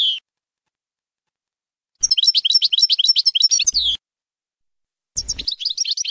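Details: European goldfinch song in the Bainam Ghazarat style, used for teaching young birds; a short high note, then a fast run of sharp twittering notes, and after a silence another burst of bright trilled phrases.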